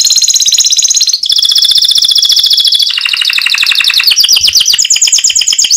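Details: Canary in 'mecut' song, a style said to set other canaries replying, delivering a string of rapid, high, rattling trills that change pitch and texture every second or so, ending in fast bouncing chirped notes.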